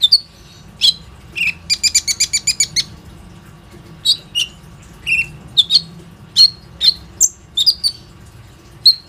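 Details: Plain-throated sunbird lure song, meant to make other sunbirds sing, recorded with an Oppo A37f: a quick rattling series of about eight sharp notes, then spaced high chirps and short downslurred whistles.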